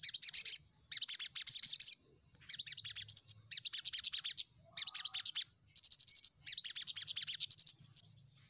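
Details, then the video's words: Crimson sunbird lure for provoking rivals: long runs of rapid, high, buzzy trilled song in bursts of about one second with short gaps, repeated steadily throughout. "Pancingan SogokOntong Gacor N3mbak Memanggil Lawan"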